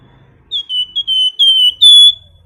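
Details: Flamboyan song in the nyiul style for masteran training: five pure whistles, short then longer, each easing downward, the final note held and steady over quiet background.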